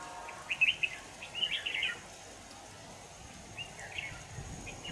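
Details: Red-whiskered bulbul singing near a decoy trap, 25 November 2018: two quick bursts of sharp, sweet, twittering notes early on, then quiet, then a softer short phrase near the end.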